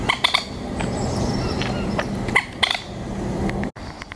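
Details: Common moorhen chicks at Fleet Pond on 10 July 2019, while an adult gathers food for them: thin, short high peeps, singly and in quick pairs, over a steady low rumble.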